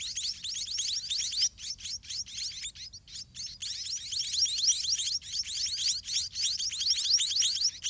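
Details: Hungry white-rumped munia chicks begging in a dirty garden nest while the parent birds feed them: a dense, continuous chorus of rapid, high, rising chirps, about four a second, with brief pauses.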